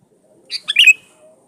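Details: A sooty-headed bulbul sings a lure song, meant to call in rivals and draw a reply: one brief, bright burst of three or four quick chirpy, warbled notes lasting about half a second, with no other clear sounds.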